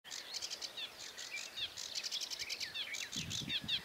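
Sedge warbler in a fast, scratchy, chattering run of varied notes with sharp up-and-down slurs, delivered without pause; a few low thumps near the end.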